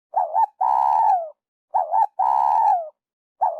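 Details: Spotted dove call used by trappers as a lure, from An Khê, Vietnam: repeated low phrases, each a short wavering coo followed by a long, steady, slightly falling coo, recurring about every 1.6 seconds, clean and loud.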